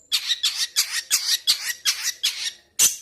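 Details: Long-tailed shrike from Indonesia giving a rapid series of loud, harsh, rasping notes, about six per second, in a small room.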